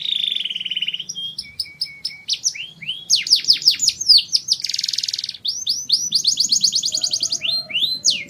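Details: Mating song of a canary, opening with a steady trilled tone, then quick downward-sweeping notes, a dense buzzy roll and rapid repeated chips, delivered without pause over a faint low rumble.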